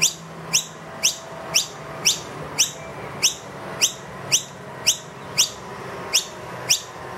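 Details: Steady series of piercing, quickly rising chirps at around two per second from a wild noisy miner demanding food loudly, two young along, inside a room with an empty feeder.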